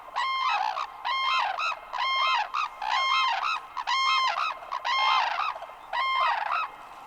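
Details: Wild crane calling in a rapid series of eight ringing, harmonic bugled notes, each lasting about half a second and repeated roughly every 0.8 seconds, with a quiet background.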